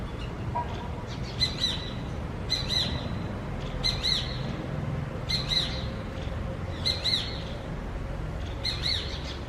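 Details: Morning calls of a shikra hawk: loud, shrill, two-part piercing notes repeated about every one and a half seconds, six calls in a regular sequence above faint rural background hum.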